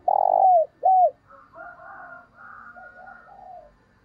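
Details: Spotted dove decoy's luring call: a long drawn note ending in a downward slide and a curved coo, followed by softer, higher cooing from other doves.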